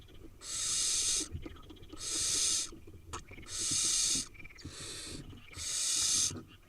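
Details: Barn owl nestlings, wild, eight young in a nest in Israel: loud drawn-out hisses about a second long come in a regular series, roughly every one and a half seconds, with quieter scratchy sounds between.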